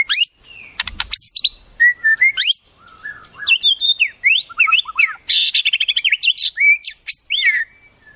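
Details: White-rumped shama, recorded as tutoring song with wild-bird fill-ins. A lively, varied medley of sweeping whistles, low warbles and rapid chattering runs, with a quick burst of fast notes near the end.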